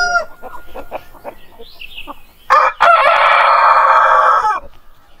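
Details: Rooster crowing at daybreak: a few soft clucks and chirps, then a strong harsh crow with a stuttered start and a long drawn-out final note of almost two seconds.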